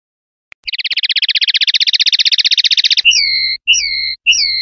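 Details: Linnet singing the clean 'pardillo limpio' style from a 2021/2022 CD: a rapid, rattling trill lasting about two seconds, followed by three drawn-out, pure whistled notes, each about half a second long, over a faint low hum.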